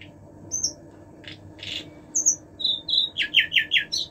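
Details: Common nightingale singing: scattered high whistles and buzzy notes, then a fast series of about five rapid repeated chirping phrases near the end, over a low background hum.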